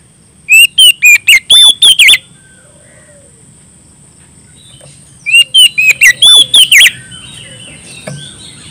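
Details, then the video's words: Oriental magpie-robin singing loudly to call a rival in ngeplong style: two bursts of about six rapid, ringing whistled notes with sharp slurs, separated by three seconds of quiet and a thin steady whine. "suara burung kacer gacor ngeplong memanggil lawan"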